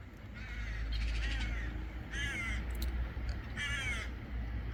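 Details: Crows calling on a rainy morning walk, with ducks also around: harsh, hoarse caws in three drawn-out bursts over a steady low rumble of rain.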